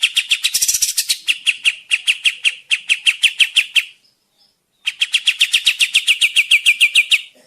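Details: Kapas tembak bird singing lustily, used for trapping lures and as a tutor song: a buzzy rattle leading into long runs of quick, sharp repeated chirps, broken by one clear pause of under a second.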